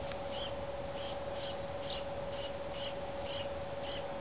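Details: A young brown-headed cowbird fed by a dark-eyed junco gives sharp, high, evenly spaced chips, about two per second, above a steady droning hum.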